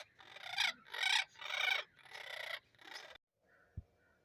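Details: Parrot giving five harsh, raspy screeches in about three seconds, each roughly half a second long, followed by quiet and a single faint low knock.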